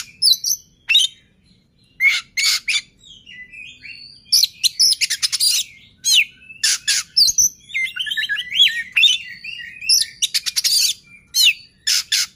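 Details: Oriental magpie-robin singing to provoke other magpie-robins into song: a long run of loud, varied phrases mixing piercing whistled slurs, harsh buzzy trills and quick clicking chatter, delivered in repeated bursts with brief gaps.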